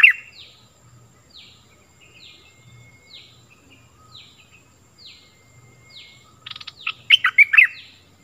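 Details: Stripe-throated bulbul recorded in 2021 for teaching young birds and luring wild ones. A soft downslurred note repeats about every second, then a loud, rapid cluster of chattering, liquid notes closes the passage.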